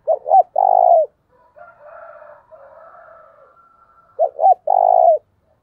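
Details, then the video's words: Spotted dove calling to attract wild doves: two loud cooing phrases, each two short curled notes and a long buzzy coo, separated by fainter, softer cooing with a few thin higher notes. "tiếng cu gáy thúc căng lửa, mở lên bổi nghe gáy theo cả ngày"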